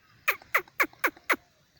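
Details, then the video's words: A francolin (teetar) gives five harsh, grating notes, each dropping in pitch, about four per second, over a quiet background. "teetar voice. francolin voice."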